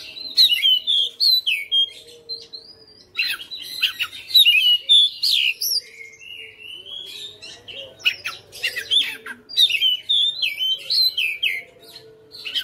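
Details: Home-bred caged Oriental magpie-robin singing in a relentless fighter style, unloading its repertoire. Long and energetic, with rapid strings of varied whistles, clicks and slurred notes in dense bursts, broken by brief softer warbling passages.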